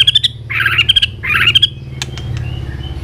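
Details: White-rumped shama in a heated song contest, flicking its tail as it sings; short harsh, buzzy bursts mixed with high whistled notes, two main phrases over a steady low hum.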